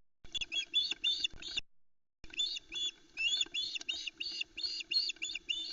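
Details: At a Loch Arkaig osprey nest on 4 July 2020, as the female tries to reach a fish past her chicks, dense bursts of shrill, squealing, repeated notes pour out with scarcely a break, recorded by nest cam.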